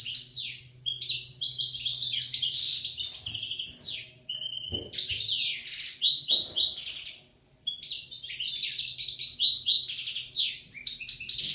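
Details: Goldfinch pair in Algeria, 2016: a long run of bright, jangling twitters and quick trills in bursts, broken by short gaps, over a steady low hum with a couple of faint knocks.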